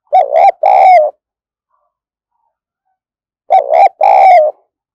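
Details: Energetic decoy spotted dove used for luring wild birds repeats the same loud two-part coo twice, about three and a half seconds apart. Each coo is a short wavering phrase followed by a fuller, longer note. Silence in between.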